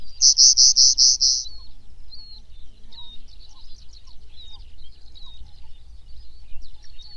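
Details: Pallas's bunting (Emberiza pallasi) song: a quick run of six high, buzzy notes in about a second, then faint thin chirps and scattered other bird notes over low background rumble.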